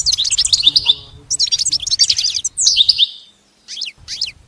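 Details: Goldfinch singing for a pet-training recording: rapid high chirping phrases with a downward sweeping note, a brief silence, then two short sharp chirp groups.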